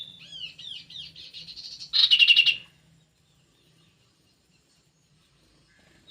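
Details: Aviary-kept kidangan kaso kaso bird giving a quick series of high swooping whistles, then a loud, harsh, buzzy burst, followed by silence and one final sharp note.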